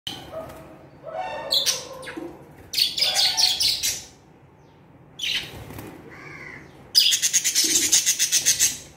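Budgerigars chatter in bursts of high, scratchy chirps and rapid warbling notes.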